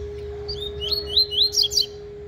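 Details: Double-collared seedeater practising its tui-tui style song: short whistled notes repeated rapidly, each sliding in pitch, finishing with bright, higher squeaky notes. A constant low hum continues beneath.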